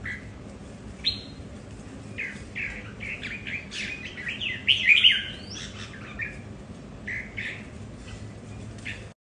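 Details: Red-whiskered bulbuls kept at home vying over territory, several birds with differing temperaments; a lively run of bright chirps and quick whistled notes building to a louder burst midway, then scattered single notes, with a faint low background hum.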